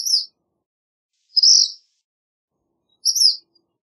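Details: Black phoebe song of brief, sharp, high chirped notes, three phrases spaced roughly every one and a half seconds, the middle one a slightly longer buzzy note, against a quiet background.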